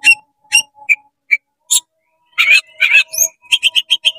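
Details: Oriental magpie-robin singing in 'konslet' style to provoke rival magpie-robins: spaced sharp chips, then harsh buzzy bursts and a fast run of clipped high notes, with a faint steady low whistle behind.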